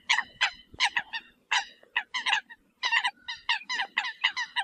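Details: Several Eurasian coots calling the flock together with clipped, trumpeting honks, delivered in irregular runs of two to four notes separated by short pauses.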